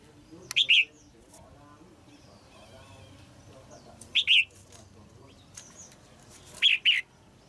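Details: Female red-whiskered bulbul singing in a cage to rouse an adult male: three short two-note slurred phrases spaced roughly three seconds apart, with faint chirps and light background noise.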